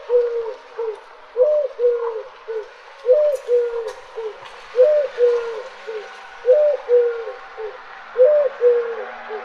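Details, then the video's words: A mourning dove (Zenaida macroura) gives low, mellow coos in short groups of three or four, each group repeated about every one and a half seconds, over faint background hiss. "Dove Call"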